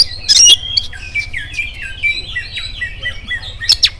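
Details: Oriental magpie-robin singing in the morning as a lure for other magpie-robins: a loud harsh opening burst, then a rapid, varied chain of sweet whistled and warbled notes, closing with scratchy calls.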